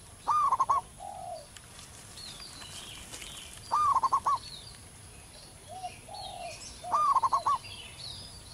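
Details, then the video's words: Wild local zebra dove singing strongly in its natural habitat with a big, long voice: three loud cooing phrases of quick staccato notes, roughly every three seconds, with softer low coos between and faint distant birds. "perkutut lokal manggung gacor di alam liar suara besar"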